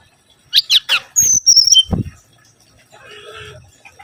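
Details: Mangrove whistler song for luring: sharp buzzy chips followed by clear, high whistles gliding down in pitch. A dull low thump follows, then faint background noise.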